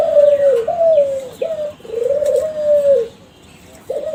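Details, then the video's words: Lure song of a young Kelantan spotted dove from a champion breeding line: long, smooth, slightly falling coos broken by short hooked notes, then a pause and a brief new phrase, with faint downslurred chirps from other birds. "SUARA DERKUKU KELANTAN TRAH JUARA PANCINGAN SUARA GACOR"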